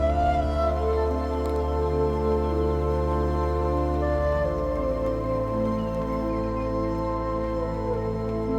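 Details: Soft, sustained new-age music with slow held chords, and no animal sounds.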